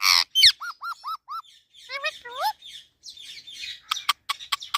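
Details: Indian ringneck parakeet talking: a harsh opening squawk, four evenly spaced arched whistled notes, rising speech-like syllables, then a breathy murmur and a series of sharp clicking ticks.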